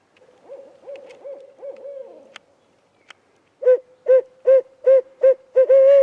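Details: A barred owl in tree foliage in central Wisconsin, late afternoon on 14 May during a spring turkey hunt, answers a hunter's calls: a soft run of low, wavering notes, a brief click, then seven loud, hollow hoots about half a second apart.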